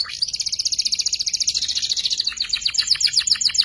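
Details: Canary youngster learning the ngeriwik song, kept as a tutor for murai and kacer birds; a fast, even buzzing trill lasts over two seconds before loosening into separate sharp chirps.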